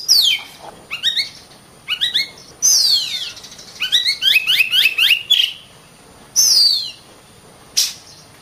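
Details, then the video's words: Oriental magpie-robin singing vigorously in scattered bursts: short stacked rising chirps, long falling whistled slurs and quick jumbled notes, separated by silent gaps of about a second. "suara burung Kacer gacor"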